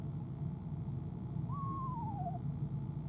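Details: Female eastern screech owl inside a nest box on an owl camera, evening of 25 January 2015 before leaving around 6:10pm CST: one quavering trill, about a second long, sliding downward, over a steady low hum.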